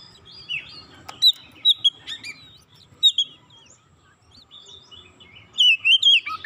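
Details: Oriental magpie-robin song used to trigger other magpie-robins into singing, with scattered short chips and whistles, a quieter stretch in the middle, then a rich twisting whistled phrase at the end; faint background hum.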